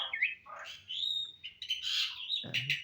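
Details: Kept Asian pied starling (jalak suren) singing actively after a care routine meant to restore its urge to sing: a fast, varied run of harsh, buzzy squawks mixed with clear high whistled notes, ending with a brief low thump.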